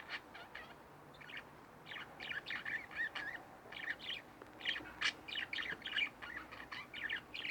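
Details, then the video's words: Two pet budgerigars kept at home chirp in a steady stream of short, scratchy notes, several per second, with faint background hiss. "Budgie Birds Extravaganza-Relax With My Budgies 15 minutes"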